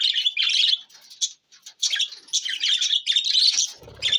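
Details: Budgies chatter in fast scratchy chirps and squeaky warbles, with a short gap, then a low rumble at the end.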